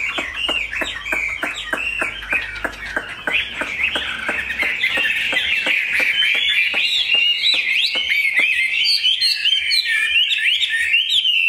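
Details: Chinese hwamei kept as a cage bird, singing a long, bubbling string of varied whistles and chatter while fast, regular clicking ticks run beneath the song.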